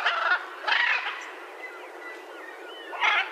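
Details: Raucous, nasal squawks from a blue-and-yellow macaw: two grating calls close together, a quieter stretch with faint whistled sounds, then another harsh squawk.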